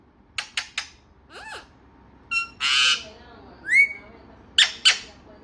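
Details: A talkative parrot gives a varied run of sounds: quick sharp clicks, a wavering note, a long buzzy squawk, a rising whistle and short harsh calls.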